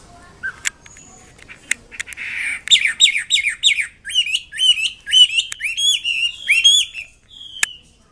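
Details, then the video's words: A wambi kembang mandarin bird sings persistently. A few sharp clicks are followed by a rising run of loud, slurred whistles repeated in quick succession, then a single high note. "BURUNG WAMBI KEMBANG MANDARIN GACOR KICAUNYA"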